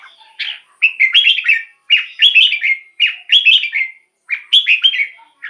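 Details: Red-whiskered bulbul, singing a song used to excite other birds or draw in wild birds; repeated rollicking phrases of fluty, slurred whistles, each phrase about a second long with short pauses between.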